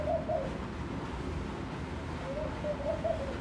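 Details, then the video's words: Laughing dove at a room window cooing: two short soft bubbling notes at the start, then a quieter rising series of low rolling coos near the end, with faint background noise throughout. "Sound of the Laughing Dove"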